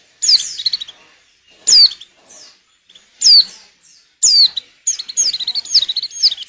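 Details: High, thin white-eye notes from a female in breeding condition, kept to spur males into song for luring; steep falling whistles roughly every second, ending in a quick stuttering series of chirps.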